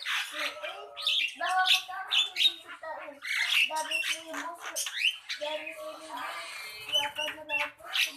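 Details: Javan myna in continuous chattering song: grating squawks, rasping buzzes and a few sharp upward-swept notes strung together rapidly, with brief breaks near four and five seconds.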